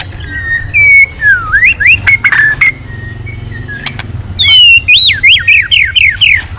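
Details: White-rumped shama singing clear whistled slurs that swoop down and up, a pause with faint clicks, then a loud series of rising and falling looping whistles in quick succession.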